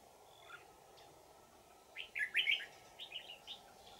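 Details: Wild red-whiskered bulbul in Vietnam, recorded while being trapped with a decoy on 20 December 2018, described as having a bell-like, twisting voice; near quiet for two seconds, then a loud warbled phrase followed by softer chirps.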